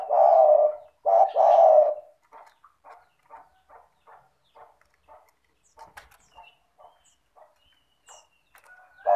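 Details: A spotted dove in good calling form, meant to coax lazy doves into calling. Two loud, mellow coo phrases open, followed by a long run of faint regular ticking and clicks.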